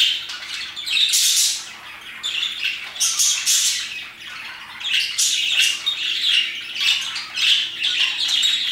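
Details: Parakeets chirping around 2pm in a steady, busy chorus of shrill chirps and scratchy squawks, with louder bursts every second or so and a faint low hum underneath.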